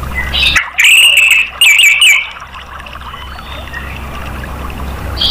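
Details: Orange-headed thrush song used to spur caged birds into singing: a short burst of bright whistled and warbled notes lasting about a second and a half, followed by quiet background hiss.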